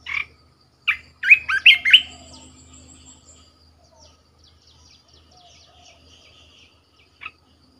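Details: A caged decoy red-whiskered bulbul opens with several bright, bouncing whistled notes in quick succession, fading into soft twittering, with one sharp note near the end.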